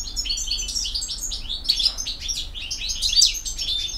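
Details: European goldfinch song in campero style, BiH: a dense, continuous high twitter of overlapping tinkling notes with a few sharper accented chirps.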